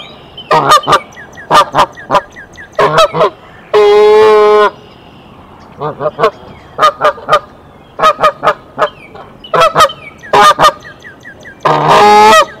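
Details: Nesting mother goose at Decorah calling an alarm to the male, March 27, 2023; clusters of short honks broken by two long, drawn-out honks, with quiet gaps between bursts.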